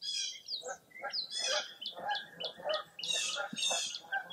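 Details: Dense dawn bird chorus along Mirror Lake in Baraboo, Wisconsin, on a foggy April morning. Many birds overlap, with rapid chirps, downslurred whistles and buzzy high phrases almost without pause.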